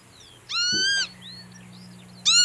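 A Northern Lapwing gives a loud, wheezy, nasal call, then begins another about two seconds later. Faint thin whistles from other birds and a low steady hum sound underneath.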